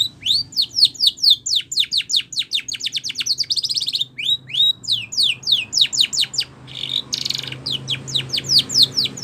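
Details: Spanish Timbrado canary song used for training canaries: fast series of sharp, downward-sweeping high chirps, repeated rapidly, then a brief buzzy trill and more quick descending notes, with a faint low hum behind.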